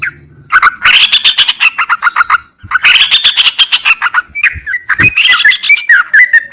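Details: Yellow-vented bulbul singing: loud bursts of rapid chattering notes around mid-high pitch, broken by short pauses, with bubbly warbled phrases toward the end.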